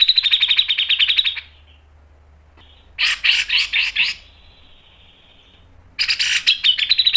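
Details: Grey-cheeked bulbul singing energetically in a sharp 'mbeset', 'ngepik' and 'nembak' style used for tutoring. Three bursts of rapid, harsh chattering notes come at the start, around three seconds and near six seconds. A thin drawn-out tone fills the pauses.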